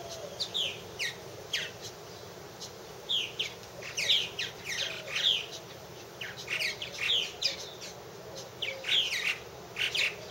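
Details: Purple martins at one of three nest houses, sparser calling here: separate short chirps and rising, slurred whistled notes spaced irregularly a second or so apart over quiet background.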